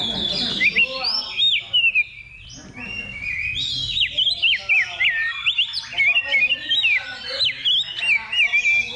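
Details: Oriental magpie-robins in a level 2 contest simulation held as practice before competing: loud, sweet whistled phrases with sharp rising and falling sweeps, delivered in bursts over a dense, hissing chorus of other singing birds.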